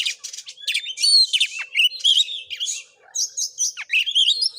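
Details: Oriental magpie-robin singing a 'konslet'-style fighting song as a lure to provoke rivals, recorded at a house in Padang Gading, Muko Muko, Bengkulu, Indonesia; loud, fast mix of sweet whistles, buzzy trills and sharp chips.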